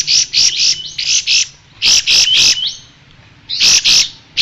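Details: Striated grassbird song, a tutor recording for training songbirds: loud, bright chirping notes in clusters, with thin slurred whistles between bursts.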